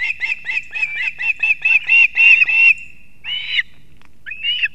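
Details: Ospreys at a Latvian nest in Kurzeme, early morning, 3 September 2024, the male bringing two fish at once; a fast run of shrill whistled chirps, about three to four a second, climbing into longer squeals, then two brief calls.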